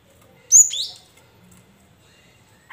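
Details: Caged cinereous tit lure song meant to prompt others to sing: a single loud, high whistle dropping sharply in pitch, then near silence with a faint chirp at the end.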